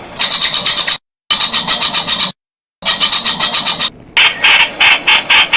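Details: Blanford's Bulbul (Streak-eared Bulbul) delivering bursts of quick, rattling harsh notes in tight series, broken by sudden silent gaps. The last section shifts to lower, broader buzzy notes spaced more widely.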